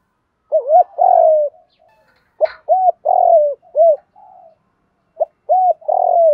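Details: Spotted dove cooing from cock and hen, meant to stimulate training birds: repeated phrases of short arched hoots and long downslurred burry coos, with a sharp click in the middle.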